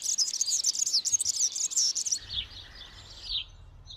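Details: European serin courtship song in spring, among olive branches: a fast, jingling cascade of high tinkling notes for about two seconds, then a softer trailing warble, with low rumbling noise underneath.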